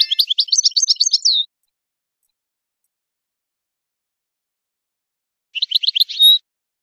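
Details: Goldfinch song from a teaching tape for chicks and songbirds: two bursts of rapid, high twittering notes, the first about a second and a half long, the second shorter, each ending in a drawn-out tone, with silence between.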